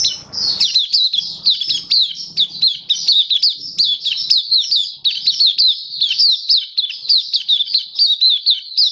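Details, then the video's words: Caged Oriental white-eye singing on 27 October 2022: fast, energetic chain of high, swooping whistled notes, about three to four per second, steady throughout, with faint low thumps behind. "Mata Puteh Kitaro Buka Sing"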